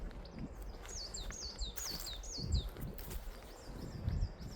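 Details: Riverside trees where great tits sing regularly and probably nest in holes; bright high notes dropping in pitch, repeated in a fast series then trailing off, with strong low background rumble and rustling.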